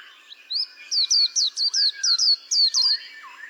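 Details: Rapid series of high, sharply falling whistles from a white-eye, around ten notes in two seconds, while lower rising and falling whistles from another bird sound softly.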